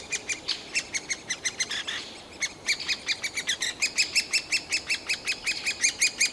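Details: Fledgling-age great spotted woodpecker chicks in a nest hole, begging loudly all day to urge parents to bring food, a day or two before leaving; Yekaterinburg forest park, 28 June 2018: fast, harsh chatter of short high calls, several voices overlapping.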